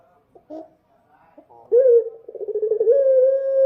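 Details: Dove at night. A few soft, broken notes lead into a loud, sustained coo with a rippling, pulsed middle section, then a smooth, level note held to the end.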